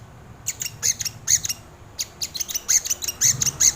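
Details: Crimson sunbird, recorded as tutor and lure material for birds, giving loud, rapid high chirps with slight downward slurs, packed closely together across the whole stretch.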